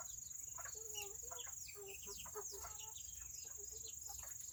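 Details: Serama chickens, the world's smallest chicken breed, in a coop on a rainy Saturday; soft, low, nasal clucks come in short uneven runs over a steady high whine and a patter of background ticks.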